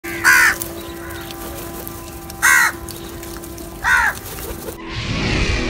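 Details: Crows feeding together give three loud, harsh caws spaced about two seconds apart, each a short rasping burst, over a steady low hum before the sound cuts to a noisy rush at the end.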